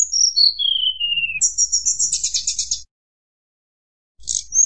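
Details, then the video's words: Sunda blue robin singing in a fluting style to provoke rivals: a high whistle dropping in steps, then a fast, even, buzzy trill lasting over a second, silence, and a final high note. "tledekan gunung nyuling bikin lawan emosi"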